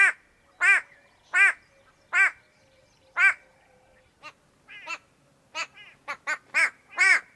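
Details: White-bellied go-away-bird, Kenya, recorded with Sony PCM A10 and Lom mikroUsi. Loud nasal braying cries come at first about every 0.8 seconds, then give way to shorter, quicker, overlapping cries in an irregular burst.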